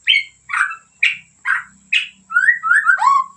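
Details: White-rumped shama from Medan: five harsh buzzy notes spaced about half a second apart, then a quick sequence of clear slurred whistles dropping in pitch, over a faint low hum.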